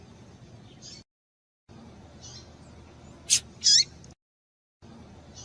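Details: Female double-collared seedeater calls used to rouse a male coleiro: faint soft high notes, then a sharp chip followed by a loud buzzy note, broken by abrupt dead-silent gaps.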